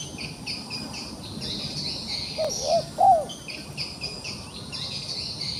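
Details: Wild pigeon caught in a trap and still trying to fight, giving two short, low, arched hooting notes about a third of a second apart over a steady high buzzing chorus of insects or small birds.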